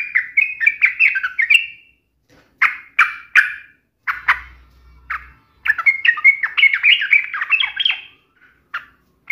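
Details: Yellow-vented bulbul singing hard to provoke a rival into answering: rapid chattering runs of rising and falling notes, then short bright phrases and a longer tumbling warble, with a faint low hum briefly.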